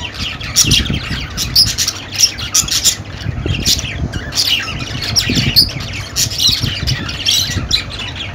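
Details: Continuous budgerigar chatter of quick raspy chirps and short squawks in tight bursts, over a steady low background hum.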